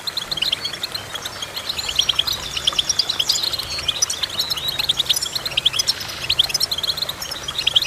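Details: Goldfinch singing: a rapid, busy twitter of short, bright chirps and trills, some notes rising, delivered almost without pause over a faint low background hum.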